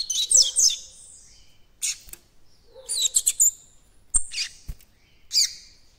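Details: Immature White-throated Seedeater beginning to form its encarte song, with clipped high chirps and squeaky slurred notes in irregular bursts, some sharp clicks between them.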